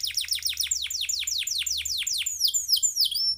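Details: Canary singing a long roll of high, sharply down-slurred notes, about four per second, shifting into quicker twittering trills, used as a tutor song for other birds; a faint low hum runs underneath.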